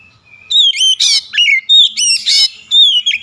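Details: Lure for a rival: an oriental magpie-robin delivering a dense run of rich whistles, slurred rising and falling notes mixed with rough buzzy bursts, almost without pause.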